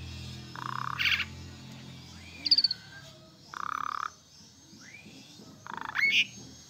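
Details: Asian pied starling song used to prompt stressed birds to answer: several coarse rasping bursts, a short upslurred whistle and squeaky rising notes, with a low hum early on.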